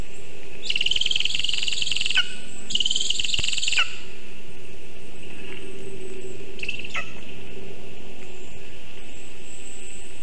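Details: Lesser spotted eagle at the birch nest in Zemgale on 19 August 2023, morning, vole delivered. Two long, shrill, trilled calls in quick succession, then a shorter faint call with a downward slide.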